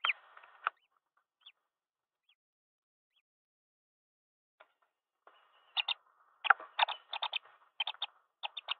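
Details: Green wood hoopoe at a nest box in Pretoria, South Africa, on 18 December 2022, where the male brings food to the female and chicks inside: a brief burst of harsh, scratchy notes, then a rapid cackling run of rasping calls after a quiet pause.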